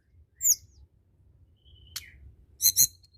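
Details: Blood-breasted flowerpecker, tledekan gunung, singing for stimulating idle birds: a high slurred chirp, a thin level whistle broken by a sharp tick, then two loud buzzy high bursts near the end.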